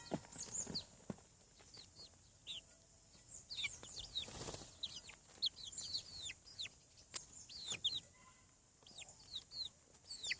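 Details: Several chicken chicks hatching from eggs on a farm, peeping in quick high downward-sliding whistles that overlap in a busy chorus, with scattered sharp clicks and taps between calls.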